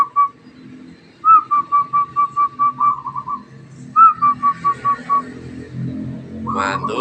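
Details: Zebra dove caught from the wild, starting to sing: one lone note, then two phrases of fast, bubbly cooing notes, each led by a higher first note, with a human voice intruding at the end.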